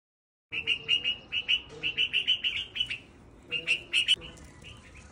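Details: Baby red-vented bulbul's first sounds: thin, high chirps in quick runs of about four per second, pausing briefly and starting again; faint background hiss.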